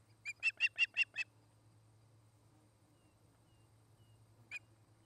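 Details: Osprey at a nest near tree-top homes in Charlo, Montana, on the afternoon of 29 August 2018, from a nest camera: six quick, sharp, piping notes in a row, then a single matching note after a pause, over a low steady hum.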